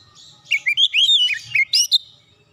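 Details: Oriental magpie-robin calling: a rapid two-second run of loud chirps and twisting whistled notes, rising and falling, with a low faint rumble underneath.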